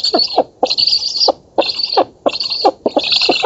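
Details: Black stork nestlings on a nest in an oak in Poland, 11 August 2017, beg at feeding time with harsh, wheezy hissing bursts, each about half a second long in quick succession, mixed with lower rasping notes.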